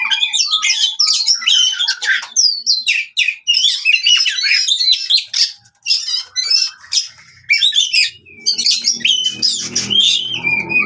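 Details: Oriental magpie-robin fighting song for coaxing non-singing birds back into song: dense, rambling sequence of sharp chips, scratchy buzzes and brief whistles, with some low background rumble late on.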